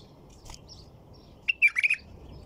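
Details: White-eared bulbul heard as a crisp, bubbly four- to five-note phrase near the end, preceded by soft, faint high calls.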